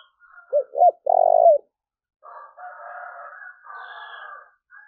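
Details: Spotted dove luring call: a mellow note, a doubled coo and a long tremulous croo, followed by a longer, buzzy, harsher call from another bird and a thin high whistle.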